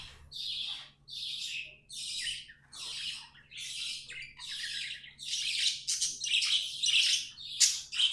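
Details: Pet budgerigars warbling in a chain of scratchy, chattering phrases, each about half a second long, growing louder and denser toward the end.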